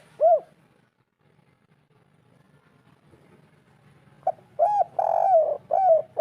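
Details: Spotted dove, local 'kuk 3' style call used as a lure for a reluctant bird: a lone arched coo, about four seconds of near-quiet with faint hum, then a full phrase of clipped note, long throaty coo and arched coos.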